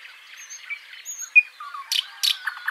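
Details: Backyard birds in Washington State giving scattered high chirps and short whistled notes, with a few louder sharp buzzy bursts near the end over a soft background hiss.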